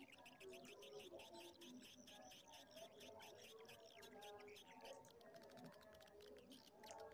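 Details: An edited swiftlet lure mixing colony call sounds with mating (courtship) sounds: rapid buzzy chirps and clicking trills from many birds overlap in a constant high twittering wash.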